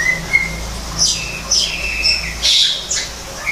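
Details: Greater green leafbird in an aviary built to resemble forest, giving a few drawn-out level whistles broken by short high squeaky notes and a brief burst of harsh chatter, over a low background hum.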